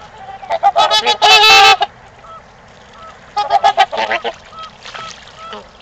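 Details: Loud brassy trumpeting from trumpeter swans in mating time at Gallup Park, Ann Arbor, Michigan: a burst of rapid overlapping honks, a pause with soft single notes, then a second quicker volley.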